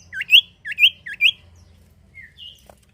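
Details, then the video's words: Common iora song played to draw other birds into singing: three crisp hooked whistles in quick succession, each rising sharply, followed by two soft slurred notes. "sirtu atau cipoh gacor manjur buat pancing bunyi burung bahan"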